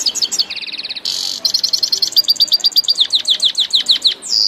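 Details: Grey-headed goldfinch singing in Tajikistan: a fast, high, tinkling song of rapid twittering trills and slurred chirps, with repeated down-swept notes in quick succession and a brief buzzy phrase near the end.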